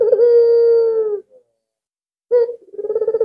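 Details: Lure bird, an albino Barbary dove, calling eagerly to set other doves off. A steady low hollow coo is held for over a second. After a pause comes a sharp short note, then a rolling, vibrating coo.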